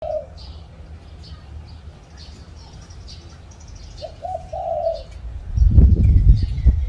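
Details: Spotted dove on a tree at home: a brief coo opens, then a stuttering phrase of short notes and a longer low coo; loud low rumbling noise then takes over, with small birds twittering softly.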